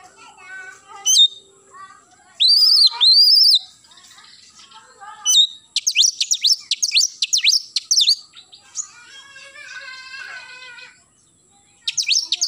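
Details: Oriental magpie-robin singing in the morning: soft varied warbling notes, loud paired arched whistles, then a long rapid volley of sharp down-slurred whistles, a quieter stacked chatter, and a final burst of quick strokes.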